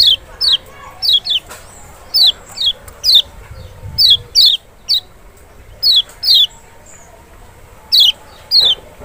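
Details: Kecial, the Lemon-bellied white-eye of Lombok or Sumbawa, as a lure to make a silent bird answer: bright descending high notes, often paired, repeated in irregular bursts with short gaps, low rumble behind.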